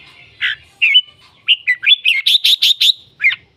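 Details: Red-whiskered bulbul singing a lively phrase: a few separate chirped notes, then a quick run of bright, buzzy, repeated syllables and a final slurred note. The bird calls and sings a great deal.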